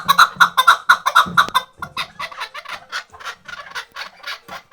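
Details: Chukar partridge from Khoja Mumin salt mountain, kept tethered as a hunting bird. A few loud, rasping notes open the series, then quieter, looser clucks follow at about two per second.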